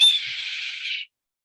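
Red-tailed Hawk giving one hoarse, shrill scream about a second long, harsh and slightly descending, with nothing else heard.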